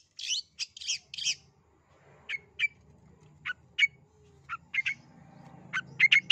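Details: Long-tailed shrike calling to stir a quiet, shy shrike into song: a few harsh grating bursts at the start, then short, sharp, clipped notes spaced about half a second apart over a faint low hum.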